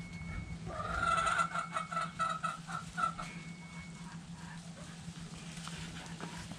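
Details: Backyard hens dust bathing in the dirt, a burst of quick clucking notes in the first few seconds that fades to quieter background noise and a low hum.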